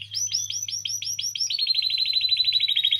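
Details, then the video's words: Singing canary, used to encourage canaries to sing: a run of looping upward-sweeping whistles, then a quick even trill of short notes, all high and bright over a faint low hum. "Canario Cantando. (Ideal para ESTIMULAR canto de canarios)"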